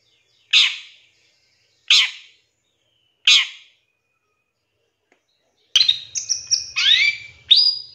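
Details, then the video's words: Long-tailed shrike (cendet) in a masteran pancingan recording with 'isian tembakan' fill: three harsh, buzzy rasping bursts about 1.4 seconds apart, then a quick jumble of varied whistled and slurred notes, some rising, with a faint low hum. "Suara Cendet No #1❗Masteran Pancingan Cendet Isian Tembakan MEWAH"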